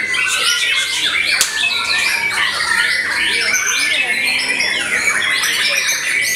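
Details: Vocal white-rumped shama singing after moulting: a rich, unbroken stream of rapid whistles, slurred sweeps and chattering phrases, with a sharp click near the start and other birdsong mixed in.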